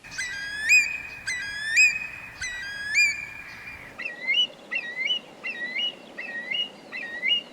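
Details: A Eurasian curlew gives its repetitive alarm call of loud, ringing whistled notes about once a second, then quicker, higher rising 'cur-lee' notes twice a second, heard at night; little else is heard.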